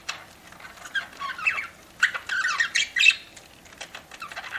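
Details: Budgerigar kept as a pet, chattering as it eats: several loose phrases of squeaky, twittering chirps separated by brief quiet gaps, with faint clicks in the background.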